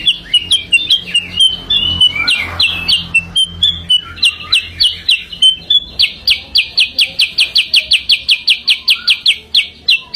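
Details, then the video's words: Sooty-headed bulbul lure song, opening with a jumble of varied whistled and warbled notes, then settling into a fast, even series of sharp, clicking chirps, about four a second. "kicau pikat burung kutilang sutra"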